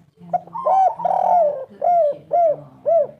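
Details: Spotted dove of local Indonesian type cooing hard in the 'kuk 3' style, low and throaty: a long wavering coo, then three evenly spaced arched notes about half a second apart, with a faint low hum underneath.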